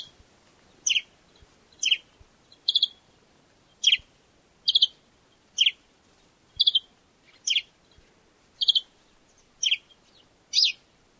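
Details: A sparrow in Africa gives about a dozen bright, slightly buzzy chirps, roughly one a second, against a quiet background with faint low knocks.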